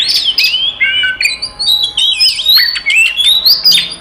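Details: Five Oriental magpie-robins delivering a rival-provoking fighting song: distinct whistled notes, some held and some dropping sharply, strung together with short gaps, plus a few harsh squawky accents.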